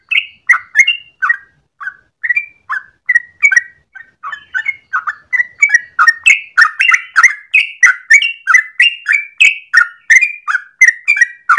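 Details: Yellow-vented bulbul with a long morning song used as a training master: starts with spaced bubbly notes, then quickens into a dense fast chain of chirps and whistles.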